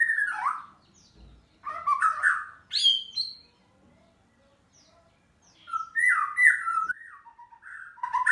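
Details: White-rumped shama singing in 'gacor' style: varied, rich phrases in separate bursts, mixing low warbled whistles, sharp high chips and squeaky notes, with short silent gaps, including a long pause midway, before a lively final phrase.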